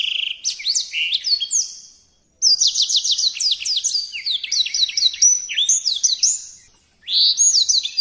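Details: Songbird singing actively in a tutor recording: bursts of high whistled sweeps and rapid trills, separated by two short silences, each new phrase starting loudly.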